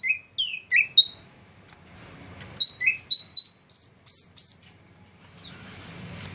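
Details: Black-throated laughingthrush, a first-place songbird competition winner, recorded in 2014: clear whistled notes sliding upward, then a run of higher repeated whistles in quick succession, with a low background hum.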